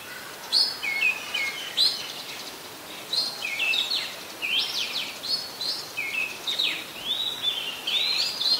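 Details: Resident Oriental magpie-robin singing at Ubon Ratchathani, Thailand, on 26 December 2020; lively sequence of whistled and chattering notes in short bursts, some sharp downslurs, repeated steadily with gentle background noise.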